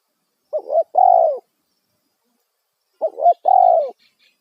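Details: Two loud phrases from a spotted dove used as a lure for wild birds, each a quick bent double note then a long sustained coo that sags at the end, separated by over a second of silence.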